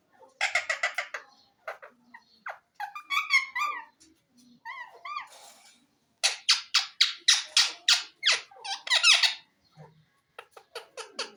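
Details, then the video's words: Green ring-necked parakeet chattering and mimicking speech, mixing raspy syllable bursts, short wavering whistled phrases and a long run of rapid harsh squawks. "mian mitho chori khani ha,lovely green parrot bird talking"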